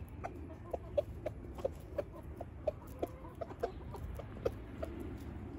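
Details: Rooster in Switzerland showing hens what to eat, giving brief, evenly spaced clucks roughly twice a second over a constant low-pitched background hum.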